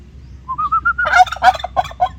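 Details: A single turkey call. Clear whistled notes step upward in pitch, then burst into a loud, choppy gobble of rapid rattling syllables ending in several separate throaty notes.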